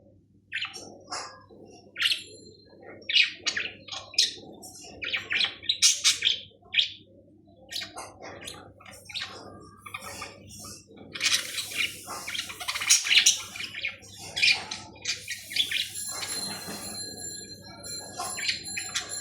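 Budgerigars chatter with rapid, scratchy chirps and warbles, several birds calling over one another.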